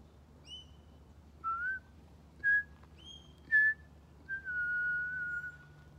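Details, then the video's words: Pied butcherbird exchanging phrases with a person at Griffith Pioneer Park Museum, World Listening Day 2023: rich whistled notes, some sliding upward, in a loose string of five, ending in a long steady flute-like tone. "Conversation with a Pied Butcherbird"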